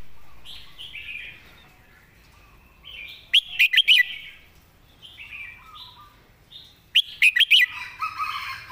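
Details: Red-whiskered bulbul kept as a song-tutor bird, with clear notes and good phrasing: two loud bursts of quick, sharply whistled notes, about three seconds apart, between softer slurred warbles from other birds.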